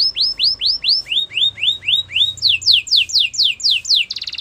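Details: Gloster canary singing evenly spaced looping whistled notes, about three per second, switching to faster falling sweeps and ending in a brief buzzy burst.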